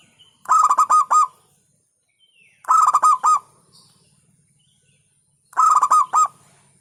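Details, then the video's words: Three bursts of fast, bouncy cooing notes from a local zebra dove, each about three-quarters of a second long, repeated every two to three seconds over a quiet background. "Hentakan Burung Perkutut LOKAL Suaranya Berkelas"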